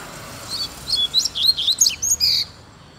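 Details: Double-collared seedeater, a free-living bird seen loose in a Brazilian neighbourhood, singing a rapid, bright phrase of high sweet whistles and slurred chirps lasting about two seconds, ending in a sharp buzzy note.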